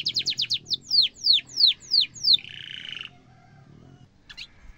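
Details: Canary singing sharply, material for teaching young canaries: quick falling notes slowing into long downward sweeps, then a buzzy steady tone, silence and a last short rising flick.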